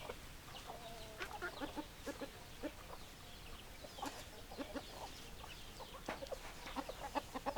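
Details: Chickens, hens clucking: many short, overlapping clucks and clicks from several birds, irregular and busy throughout, with a couple of brief drawn-out notes early on, over a low background hum.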